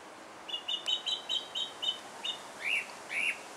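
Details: Song thrush in Alkmaar, Holland, singing a fast string of short repeated piping notes, then two louder rising-falling whistles, with faint background noise.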